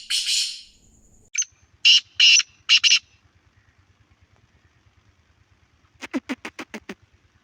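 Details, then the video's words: Black francolin calling: a hoarse opening note, then a run of short, harsh, grating notes in quick succession, followed later by a fast series of dry clicks, with a faint steady ticking underneath. "kala Teetar Ki awaaz کالا تیتر کی آواز"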